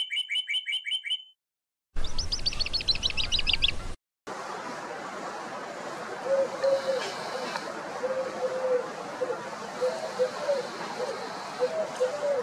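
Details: Soft, low, hollow coos of a Eurasian collared dove (Streptopelia decaocto), recorded very close up, repeat in short phrases over a steady rushing background, after brighter chirps and quick high twittering from other small birds.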